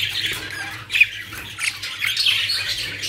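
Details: Caged budgerigars in a collection in Pakistan give harsh, buzzy squawks and chirps that run together, with a low background hum.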